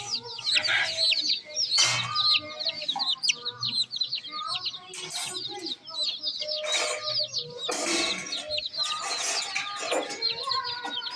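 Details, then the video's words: Baby chicks chirping in a dense chorus of soft, high-pitched, downward-sliding peeps, repeated rapidly and overlapping, broken by several loud broadband rustling or knocking bursts. "Tint Baby MURGI Chicks are Chirping Sounds"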